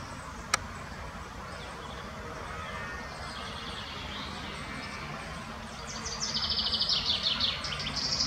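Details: Spotted flycatcher in the Botanical Garden, Munich, giving thin, very high-pitched notes in a quick run during the last two seconds, over steady low hiss with a single sharp click early on.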